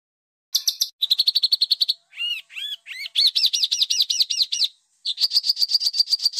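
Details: Harsh training song for home and contest birds: a fast run of sharp ticking notes, a few slurred rising whistles, then a quick series of looping chirps and a steady rapid trill of high notes.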